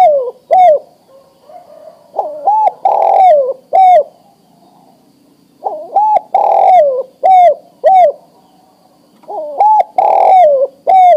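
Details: Male spotted dove, adult and ready to breed, calling to a female; three loud coo phrases, each two short rising notes then a long falling coo and further coos, separated by pauses of about two seconds.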